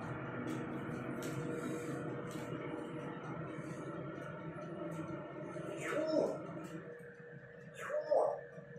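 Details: A pet grey parrot twice calls out a short, rising, word-like cry about two seconds apart, imitating the name of a household member who has stepped out, over a steady indoor hum.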